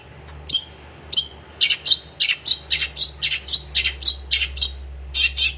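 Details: Long-tailed shrike singing energetically: a series of short, harsh, chattering notes repeated about three times a second with brief gaps, loud and close, over a low steady hum.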